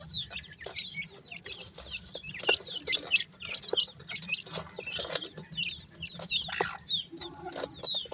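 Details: Pakistani partridge chicks chirp in chorus: quick, high, downward-sliding peeps repeated about one and a half per second, with rustling and taps in the background.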